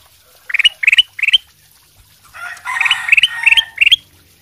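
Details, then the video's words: Ruby-throated bulbul ('sutra' type) in strong song meant to provoke replies from other birds; three quick pairs of rising whistles, then a noisier chattering stretch with further whistled notes. "kutilang emas sutra gacor buat pancingan langsung nyaut"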